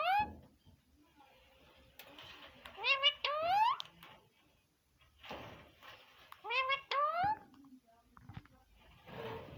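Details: Green parrot talking indoors, in two bouts of rising, whining voice-like syllables with strong harmonics, separated by quiet pauses and soft background noises.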